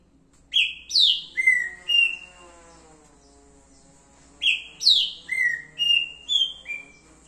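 A green-winged saltator gives two loud, rich whistled phrases, each a run of five sliding notes that step down in pitch, about four seconds apart.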